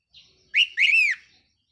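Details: Caged red-whiskered bulbul used as a decoy bird, recorded 4 May 2023; a soft note, then a loud whistled two-part phrase ending in a rich downward slur.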